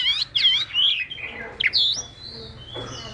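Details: Chinese hwamei song used in Vietnam to prompt other hwamei to sing: clear whistled and looping phrases for about two seconds, then a long thin drawn-out whistle that fades, over a low background hum.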